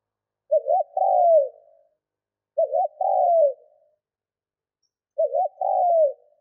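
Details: Spotted dove kept as a decoy, cooing to excite wild birds: three even phrases roughly every two to three seconds, each a quick double note followed by a longer, falling, mellow coo. Nothing else audible.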